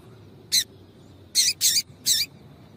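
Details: A female double-collared seedeater utters a lone sharp high chip, then three more in quick succession, calls used to prompt a male to sing; steady faint background hiss.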